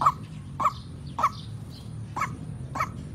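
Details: Lure call of a white-breasted waterhen for bird trapping: five loud, harsh, nasal croaks spaced about half a second apart, the later ones slightly weaker, over a constant low hum and a faint high whine.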